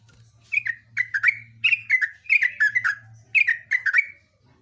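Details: Yellow-vented bulbul in full, vigorous voice: a continuous flow of rich, gurgling notes, each a quick falling slur, strung into a long rapid phrase of roughly a dozen chirps, with a low electrical-sounding hum underneath.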